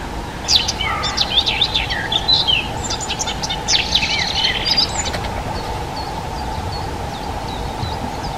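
A Dunnock sings a fast, high, jingling warble of about four seconds, over a steady mechanical hum and background noise.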